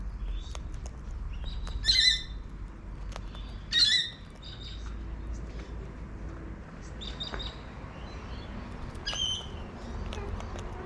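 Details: A wild cockatoo in a backyard in Adelaide, South Australia, gives two loud, harsh screeches about two seconds apart, then fainter rasping calls later, over a low outdoor rumble.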